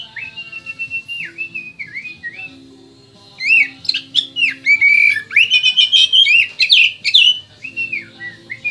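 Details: White-rumped shama native to West Kalimantan in full song, opening with soft level whistles and downslurs, a brief pause, then an energetic burst of loud rapid sweeping notes, trills and chattering phrases before quieter whistles return.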